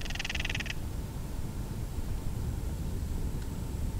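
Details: Breeding-season Northern Crested Caracara, disturbed, recorded with a Canon SX70HS, opens with one short hollow rattle of rapid clicks, followed by several seconds of low background rumble only.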